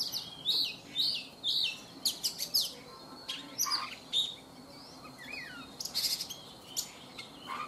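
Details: Wild-caught adult Oriental magpie-robin in a cage for three seasons, morning song: loud, varied phrases of high piercing whistles, rapid chips and swooping slurs, delivered in repeated bursts with short pauses, background quiet.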